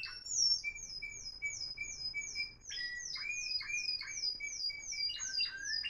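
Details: Timbrado canary, Florealdo line, one of three caged singers recorded in 2021: a high, fast, pulsing trill overlaid on level low piped notes, breaking into loud swooping whistles toward the end.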